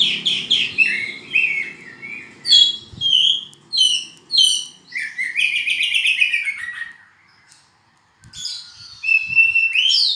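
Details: Oriental magpie-robin, a black-and-white bird, singing a varied song of loud whistled and slurred phrases, many rising and falling, delivered in quick bursts with a brief pause near the end before resuming.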